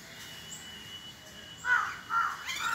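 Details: A common myna in Jammu and Kashmir gives three harsh, throaty calls about half a second apart, rasping in the middle range, over a soft background hiss.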